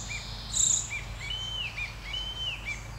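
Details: Icterine warbler song, heard as short high whistled notes and two longer drawn-out slurred whistles, with a brief harsh, buzzy burst early on over a low background hum.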